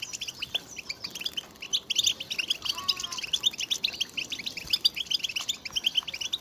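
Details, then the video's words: European goldfinches calling together, mating and readiness calls played to urge males to sing: clustered high chirps in bursts, and a short faint lower whistle midway. "بتبتة جماعية للحسون رهيبة وفتاكة لتحفيز الحسون على التغريد والهيجان"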